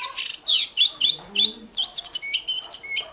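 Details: Oriental magpie-robin delivering a loud morning fighting song: harsh buzzy bursts, then sweet sustained whistles on level and slightly falling pitches, repeated in tight sequence.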